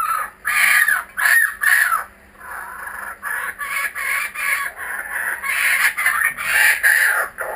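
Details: Kookaburras back again, calling in loud raucous bursts of cackling laughter, pulsed and uneven, with a short lull after the opening phrases before the chorus picks up once more.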